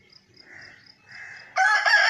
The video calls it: Rooster crowing | Murga ki azan | Murga ki bang